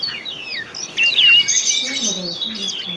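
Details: Oriental magpie-robin lure song for birds that have stopped singing: a brief, softer passage with falling whistles, then a louder burst of sweet whistled notes and a high trill.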